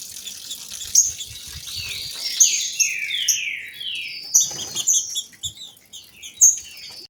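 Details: Female green-winged saltators, two birds, sing a cascade of bright downward-sliding phrases, then thinner high notes and short chips. The song is played to heat up males and make them sing. A waterfall is faint in the background.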